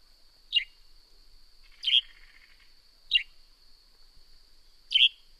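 Northern grey-headed sparrow giving four short, sharp chirps about every 1.4 seconds, high and descending, over a faint steady high hiss.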